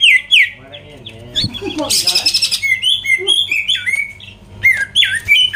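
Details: Greater green leafbird song played to provoke rivals: sharp whistled notes and a dense rattling burst, then a string of high, quick slurred whistles, with a faint low warbling sound early on.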